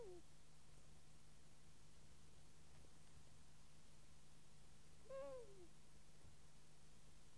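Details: Long-eared owl at the nest in Kielder, Northumberland, recorded by a microphone placed at the nest alongside an infra-red camera: two short downward-slurred calls, one at the very start and one after five seconds, over a steady low hum.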